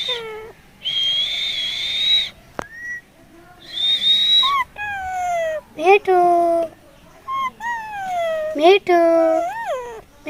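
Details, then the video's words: Caged talking Indian parrot at the Mirpur 1 bird market, Dhaka, Bangladesh, 20 November 2023, imitating words: high thin whistled tones, then a run of rich, wavering, speech-like syllables, each rising or falling, with a few sharp clicks between. "কথা বলা টিয়া পাখি 🐦 colourful Indian parrot sounds"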